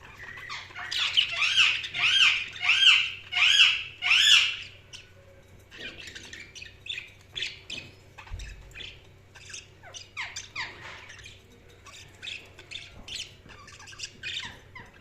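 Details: Chirping budgies: a run of evenly spaced, loud, raspy squawks about every half second, then softer, busier chatter of short scratchy chirps, over a low steady hum.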